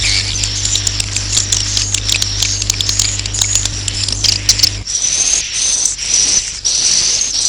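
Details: Swiftlet roosting chatter: rapid, high, crackling twitters over a low hum, then clearer, drawn-out buzzy chirps repeated in a regular series after the hum stops.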